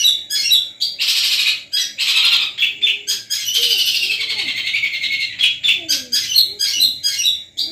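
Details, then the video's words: Long-tailed shrike from Madura, kept by songbird hobbyists, performing song material called full Armagedon: loud, harsh, scratchy bursts packed with rapid chattering notes, long buzzy stretches and short sharp chips, almost continuous with brief pauses. "CENDET MADURA PETERPAN DENGAN MATERI FULL ARMAGEDON"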